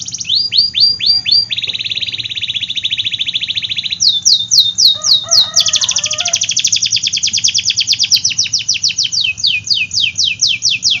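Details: Canary song used as a training lure for reluctant singers: fast repeated downward-sweeping notes alternating with long dense buzzy trills and rattles, with a faint low hum underneath.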